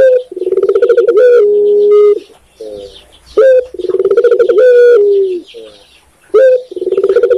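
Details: Tekukur, the spotted dove of Indonesia, cooing in a steady cycle: a sharp rising note, a throaty pulsed roll, then a level sustained coo, repeated three times with quiet murmurs between.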